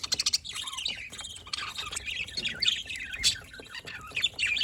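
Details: Chattering budgies recorded 27 October 2023 give a quick series of sharp clicks at the start, then a continuous twittering, buzzy warble.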